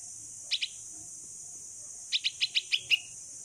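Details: Sixteen-day-old rescued female bulbul calls for its mother while trying to fly outdoors: two quick high chirps, a pause of about one and a half seconds, then six evenly spaced chirps with a drawn-out last note.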